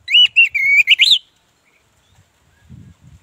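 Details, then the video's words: Orange-headed thrush in gacor ngeplong song, meant to coax stalled birds into singing; about a second of quick, bright whistled notes sliding up and down, then near silence with faint low rustling. "Anis Merah Ngeplong Gacor Sangat Ampuh dijadikan Pancingan Anis Merah Macet"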